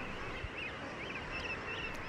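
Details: Common murre chick on a beach below Stora Karlsö's cliffs in the Baltic, late June–early July 2021, gives thin, high, arched whistles about every half second over surf and crowd hubbub. Released after ringing, it will find its father's voice and swim seaward.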